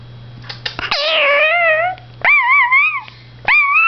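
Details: Male blue Indian ringneck (rose-ringed parakeet) talking to himself in a mirror indoors: three rising, wavering, voice-like phrases about a second each over a steady low hum.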